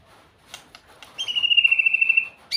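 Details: White-rumped shama singing sweetly: after a few soft clicks, one long sustained whistle with a fine quavering trill holds steady for over a second.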